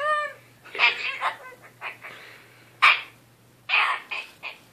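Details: Goffin's cockatoo in a small room chattering at bedtime, its weekly lecture: a brief tonal note, then scattered raspy, mumbling syllables in irregular clusters with quiet gaps and a low electrical hum.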